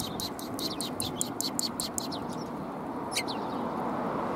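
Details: Sparrows coming out to greet, 25 March 2021: a quick run of bright, clipped chirps in the first two seconds, then quiet and one lone chirp later, all over constant low background noise.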